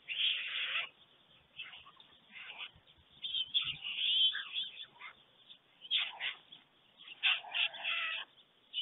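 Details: Nest of white storks in Germany at dawn, 24 June 2020, where two adults greet each other and one chick is fed; uneven rasping, wheezy bursts come in clusters between short quiet pauses.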